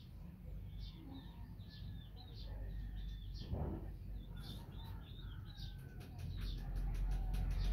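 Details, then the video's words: Young hornbill chick uttering a run of high, brief chirping notes at an uneven pace, over a steady low hum, with a louder broadband thump midway and faint clicking toward the end. "CUTE baby hornbill ( talusi )"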